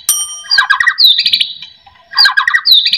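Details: Lure song of a white-rumped shama, meant to make idle shamas sing: a brief high tone, then a rich chattering phrase climbing into fast high trills. The phrase is repeated after a pause.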